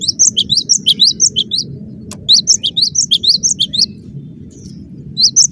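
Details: Rapid 'gacor' song of a cinereous tit: fast series of piercing, upward-flicked high notes in two bursts separated by a short pause, over soft background noise.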